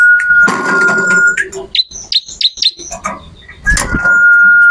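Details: Training recording of a bar-winged prinia's loud song: a long, flat whistle, a short run of quick, squeaky chirps, then the steady whistle returns.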